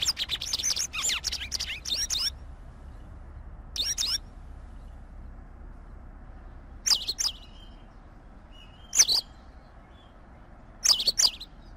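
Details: White wagtail, Motacilla alba, singing: a burst of rapid high chirps and twittering notes in the first two seconds, then isolated sharp chirps spaced a few seconds apart over a low steady background hiss.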